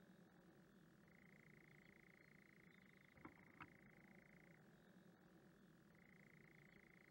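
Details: Male European nightjar churring on heath at night in the UK, declaring territory and advertising to mates: a long, even, dry mechanical churr that shifts pitch abruptly near 1, 4.6 and 6 seconds, with two soft clicks mid-way.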